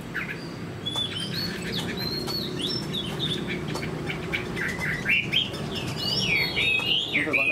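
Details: Caged Chinese hwamei with fanned tail sings rapid slurred whistles, about four notes a second, growing louder toward the end, partly masked by a steady low-pitched background noise.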